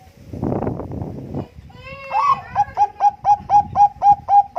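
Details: Active Bangkok Zebra dove with contest-standard song for luring other birds: a burst of noise first, then a rising drawn-out opening note followed by about eight crisp, rhythmic coos.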